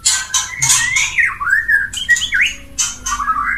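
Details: Male white-rumped shama wooing a female, pouring out mellow gliding whistles that dip and rise, broken by short scratchy bursts of harsh noise.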